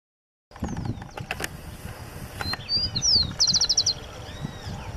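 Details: A single rufous-collared sparrow singing in Parque Finky, Turdera, Lomas de Zamora, Buenos Aires Province, on 29 November 2017: thin slurred whistles followed by a fast, dry, high trill, over low rumbling traffic-like background noise.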